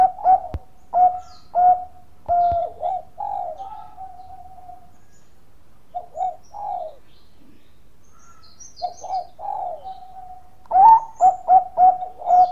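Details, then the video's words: Actively singing Bangkok-type zebra dove, played as a lure to set other doves singing: soft, steady coos, staccato notes running into a drawn-out tone, repeated in three phrases with quiet gaps between them. "PANCINGAN PERKUTUT BANGKOK GACOR SUARA MAS"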